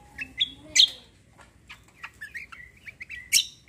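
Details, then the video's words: Cucak kombo songbird in kecial kombo song, with a few sharp high chips, a soft falling whistle, then short chirpy notes, ending in one loud sharp note. "CUCAK KOMBO KECIAL KOMBO ROLL TEMBAK GACOR COR"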